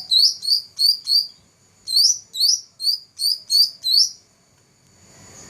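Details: Black-throated laughingthrush, a 2014 first-place contest winner, sings two bursts of loud, ringing, downslurred whistles, about four and then six notes, repeated evenly. Soft hiss follows at the end.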